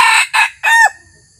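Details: The closing part of a crow from a red junglefowl decoy cock on its first outing to attract wild junglefowl. Three loud hoarse bursts trail off into a faint, quiet background.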